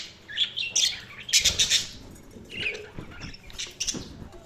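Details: Budgies chirping in short high bursts, with a dense run of rapid scratchy chirps mid-clip, quieter gaps between, and a few softer warbled notes near the end.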